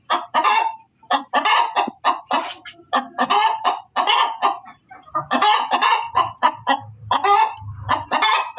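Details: Loud cackling hen, steady series of harsh clucking notes at a brisk pace, with a low hum appearing toward the end.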